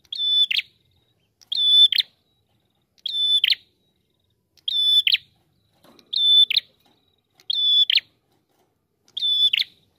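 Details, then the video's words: A red-headed prinia repeats a short, high, buzzy phrase about every one and a half seconds, each burst a quick rattling trill; nothing else is heard. "prenjak kepala merah gacor suara ngalun"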